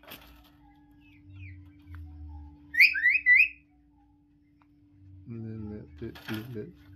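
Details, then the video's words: Common hill myna kept as a talking pet whistles three quick, hooked rising notes in rapid succession, after soft background noise; a person's voice speaking follows at the end. "মানুষের মতো কথা বলা ময়না পাখি,,, Talking Hill Myna Bird"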